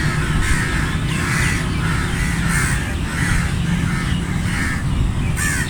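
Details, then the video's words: Flock of crows cawing: harsh, rasping caws repeated roughly every half second to second, overlapping from several birds, over a steady low rumble of background noise. "Flock of Crows cawing sound effect"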